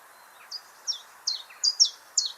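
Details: A common chiffchaff, an early-spring migrant and possibly feeding young later in the season, sings at Bickershaw Country Park, a reclaimed mining site near Wigan. It gives six bright, high, slurred notes, about three per second, alternating in pitch, over soft hiss.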